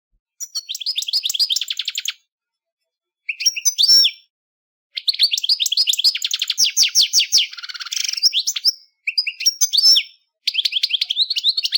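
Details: European goldfinch song: bright, rapid tinkling twitters and liquid trills in several bursts separated by short pauses, with buzzy rattles and thin high notes mixed in.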